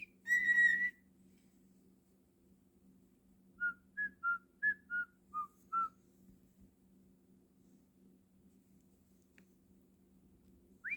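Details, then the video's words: Pet cockatiel indoors: one long clear whistle, then a quick series of seven short, even notes stepping slightly up and down, ending with a faint rising whistle. A steady low hum fills the room. "Naughty Cockatiel whistling and being cute"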